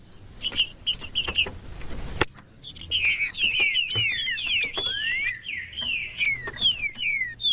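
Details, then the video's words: A green-winged saltator sings. A few high ticking notes lead into a dense burst of slurred, descending whistles, with a long rising glide in the middle and a soft low hum underneath. "TRINCA FERRO CANTANDO"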